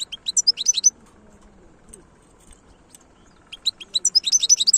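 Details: Wild-type European goldfinch singing in Algeria in 2022: two bursts of high, rapid, twittering notes, one at the start and one at the end, separated by a quiet pause with faint low background hum.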